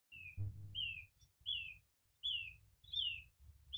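Diederik cuckoo giving clear, high whistled notes, each slurring downward, repeated about every second with low rumbling noise beneath.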